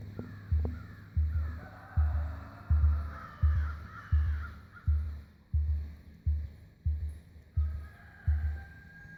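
A female emu drums: deep, hollow booming thumps repeated steadily, roughly every three-quarters of a second. Faint background rustle underneath.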